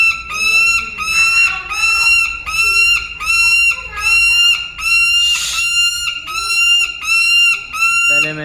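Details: A rescued, formerly captive black shaheen falcon, very noisy, later released on March 19, 2024, screams repeatedly, each harsh, nasal, drawn-out cry about every three-quarters of a second; a brief low sound closes the sequence.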